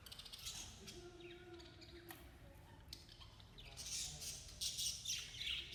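Budgerigars chirp and warble in a busy, scratchy chatter with short squawks.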